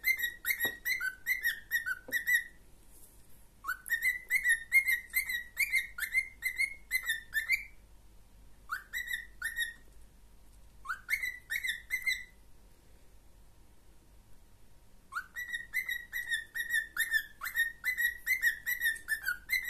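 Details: A pet cockatiel whistles in quick bursts of clear, rising notes, pausing between phrases.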